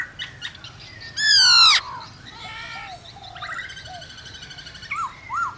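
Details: White-browed laughingthrush song played to stimulate other birds to sing: a loud harsh rasping burst, then mixed whistles, buzzy trills and short upslurred notes, with quieter chattering between phrases.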